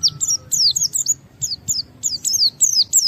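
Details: Challenging song of a Japanese white-eye aimed at provoking rivals: short bursts of high, downward-slurred whistles repeated roughly three times a second in uneven clusters, with low background noise.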